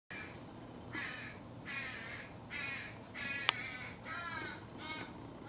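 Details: Young crow spending the day in a backyard, fed food items by its parents between naps; harsh, nasal, buzzy caws repeated about seven times in quick succession over a low steady background hum.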